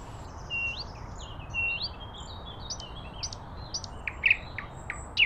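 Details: Common nightingale song: a varied sequence of fairly soft whistles and slurred notes at changing pitches, with louder, sharp notes near the end.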